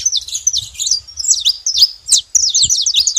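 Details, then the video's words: A group of saffron finches makes noise together, with rapid bright chirps and clipped downward-sweeping notes packed closely over a soft low thudding. "Canário da terra junto fazendo barulho"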